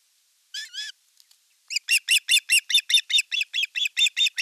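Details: At a Finnish osprey nest in Satakunta, 5 August 2024, fish being delivered while the older chick attacks the younger: one drawn-out whistled squeal, then a steady, quick series of sharp, high, harmonic notes.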